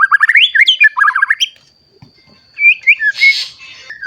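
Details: White-rumped shama song meant to provoke other shamas: rapid wavering whistled notes in a quick burst, a pause, then a rising phrase and a short harsh noisy rasp.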